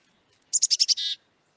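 Black-capped Chickadee: five quick, high, clipped notes followed by one longer, lower, buzzy note, a brisk chick-a-dee pattern over a second. No other sounds.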